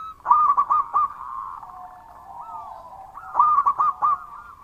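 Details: Local zebra dove singing frequently in a loud voice. Two clusters of four or five clipped, ringing coos sound about three seconds apart over a low, continuous warbling trill.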